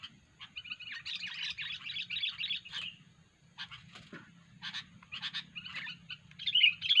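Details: Sooty-headed bulbul (kutilang) making strange calls for a luring recording: a long stretch of fast, buzzy chatter, then choppy bursts of chirps and a bright whistled phrase at the end, over a steady low hum.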